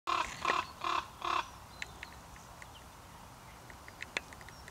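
A raven gives four harsh, hoarse croaks in a quick run over about a second and a half, followed by a few faint clicks and ticks.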